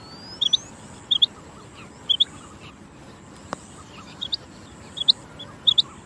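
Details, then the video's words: Rain quail calling: sharp high two-part notes spaced roughly a second apart over a quiet background hiss. "Chinga batair ki saf awaz چنگا بٹیر کی صاف اواز"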